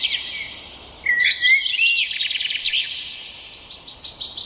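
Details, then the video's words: Bird song of fast buzzy trills and chirps around a brief whistled rising note, dense overlapping twittering high up, with soft background hiss. "Пение птиц."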